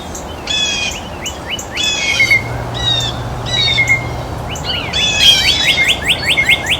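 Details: Blue jays at their feeder while eating, giving a quick run of short, rising, slightly harsh notes in bursts, some stacked close together, with a thin steady whistle drifting underneath.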